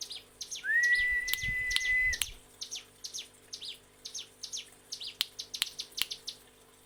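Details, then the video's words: Mountain prinia song for teaching captive birds: a long, flat whistle at the start, then a lively series of high, down-slurred chirps and clicks, about two to three per second. "Masteran CIGUN ngebren"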